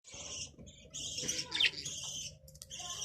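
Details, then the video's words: Budgerigar (Australian parrot) chatter: a dense, scratchy warble of high chirps and buzzy notes running almost without pause, with one sharper squeak in the middle. "Australian bajri parrot|| Australian parrot voice"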